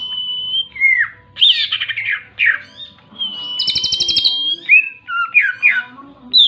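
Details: Greater green leafbird in full song: long level whistles, a buzzy harmonic rattle near the middle, then quick descending chirps and slurred notes in lively sequence.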